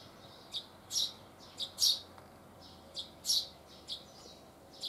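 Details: A Eurasian tree sparrow chirps loudly on a deck railing in southern Sweden on 12 June 2015. It gives sharp, high chirps in irregular bursts about every half second to a second, with a faint low hum behind.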